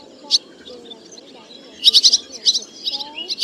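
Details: Black white-bellied swallows calling a flock to roost, used as a lure call: bright, high twittering chirps in quick clusters, busiest in the second half, over a faint low, wavering tonal murmur.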